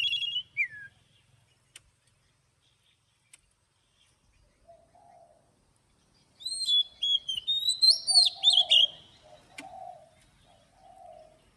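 An Oriental magpie-robin sings a burst of rich, varied whistles, sweeping and trilled notes, mixed with a few low mellow notes, after a long quiet pause.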